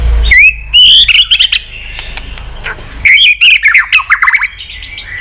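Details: White-rumped shama singing many-voiced song, used to stimulate shamas and train them to sing varied phrases with tail flicking: a rising whistle, bright upslurred notes, then sharp clicks mixed with quick warbled phrases.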